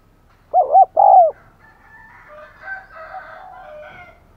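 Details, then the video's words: Spotted dove used as a decoy, calling: a rapid pair of coos and a longer sliding coo, then softer mixed background sounds. "Chim Cu Mồi Thúc Gáy Gọi Mới Nhất / Kích Bổi Siêng Gáy , Có Cả Thúc"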